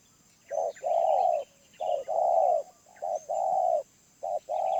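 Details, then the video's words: Wild spotted dove, medium-pitched voice, giving loud full coos: a short note leading into a long level coo, three such phrases with soft chirps of other birds behind. "Tekukur Liar // Suara Menengah // Penguku Habis"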